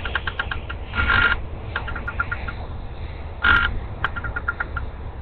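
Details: Bald eagle eaglets in a nest after feeding on a fish brought by their mother, crops full; a series of short high squeaky piping notes with two louder drawn-out squeals, over steady low rumbling background.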